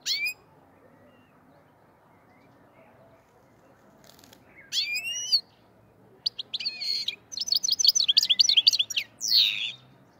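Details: Black-headed goldfinch song in the Andijan, Kuva and Fergana style. Mostly quiet at first with faint background hiss, then scattered sharp chirps followed by a fast burst of high twittering trills near the end.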